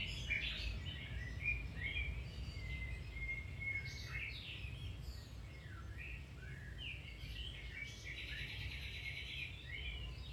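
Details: Domestic canary song to stimulate or improve another canary's singing; sweeping whistles, chirps and a long even note, then a dense buzzy burst, all above a persistent low hum.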